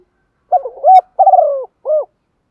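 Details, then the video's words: Morning coo of a Spotted dove decoy bird: one phrase of soft hollow notes, a brief stuttering start swelling into a steady coo, a rolling vibrato coo that slowly falls, and a short closing note. "Chim cu gáy mồi gáy gọi buổi sáng, kích bổi nghe rất xiêng gáy"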